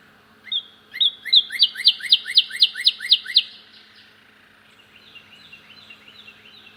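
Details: At a bird feeder, a cardinal opens with a clear whistle, then a quick run of about ten sweeping down-slurred notes, four per second, followed by a fainter echoing series.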